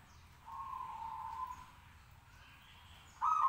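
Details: A local zebra dove, calling at about five to eight in the morning, gives a soft, level coo lasting about a second, then starts a louder, higher coo near the end, over a faint background hum throughout.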